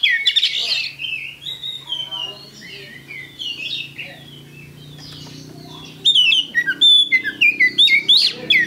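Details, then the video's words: Oriental magpie-robin in a cage, lure song: varied sliding whistles and warbles, softer in the middle, then a loud fast run of bright clear notes and sharp chips. "Pancingan Kacer Gacor"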